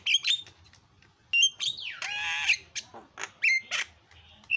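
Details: Very noisy isian song of a Javan myna (jalak kebo) used as a training tutor: whistled notes, a long downslurred screech into a harsh grinding stretch, then scattered sharp chips and clear whistles.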